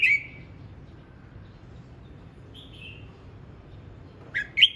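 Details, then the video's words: Red-whiskered bulbul practising its voice: an opening whistled note, a soft mid-clip whistle, then a loud, quick burst of slurred notes at the end, with long quiet gaps between. "Chào mào hót luyện giọng"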